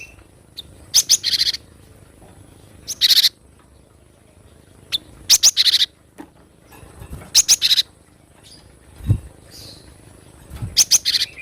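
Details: Wild Java sparrow song as clusters of high, metallic, tinkling chips, each burst under a second, repeated roughly every two seconds with pauses between; a soft low knock near the end.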